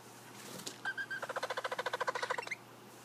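Collared aracari: a few squeaky notes, then a rapid rattling series of about fifteen sharp, clipped notes, roughly six per second, over a quiet background.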